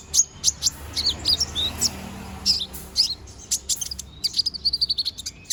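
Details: Balding konin bird growing new feathers sings energetically, delivering rapid high-pitched chirps and tweets, short sweeping notes, then a quick run of evenly spaced sharp twitters in the last two seconds, against a faint low hum.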